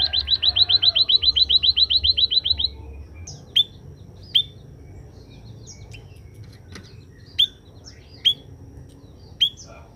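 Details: Scaly-breasted munia, a kept bird singing after sunning: a quick run of high, sharp downslurred chirps for nearly three seconds, then isolated single bright chirps spaced a second or more apart over low background hum.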